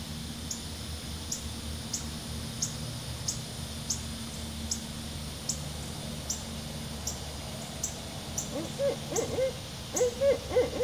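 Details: Two barred owls break in near the end with a burst of low, gruff hoots. Before that, a steady high ticking, probably insects, and a low hum fill the background.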